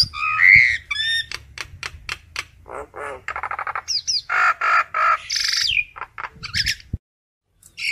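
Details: Common myna calling the flock: a varied medley of whistled notes, clicks and harsh buzzy chatter in short bursts, ending in near silence.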